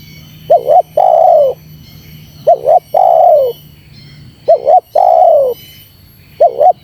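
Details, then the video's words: Spotted dove call used to provoke wild doves when luring them: a rhythmic coo pattern of two quick clipped notes followed by a longer rolling, falling coo, repeated about every two seconds, with a faint low hum in the first half. "Suara Terkukur Menekan Rapat Lawan Pemancing EMOSI Terkukur liar"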